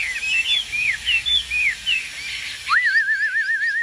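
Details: Caged Chinese hwamei singing: a run of short, bright whistled slurs rising and falling, then a sudden upward sweep into a long, evenly wavering whistle held to the end.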